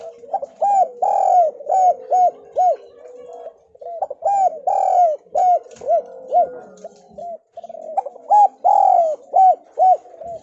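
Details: Javanese spotted dove calling as a lure to get lazy doves answering: repeated phrases of rounded, hollow coos, two to five notes each, some louder drawn-out notes, overlapping callers, short gaps of quiet.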